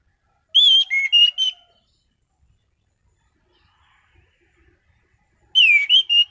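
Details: Orange-headed thrush in varied song, two short phrases of bright whistled notes with downward and upward slurs, five seconds apart, otherwise quiet.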